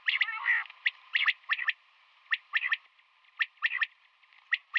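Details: Common quail, a female calling in the morning: short sharp notes, mostly grouped in quick triplets, repeated about once a second against a faint steady background hum.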